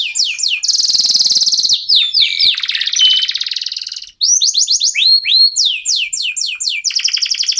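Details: Local canary in full song, offered as a lure that sets other birds singing. Quick falling chirps lead into a long, loud buzzy trill, and after a short pause a fast series of sweeping slurred notes follows.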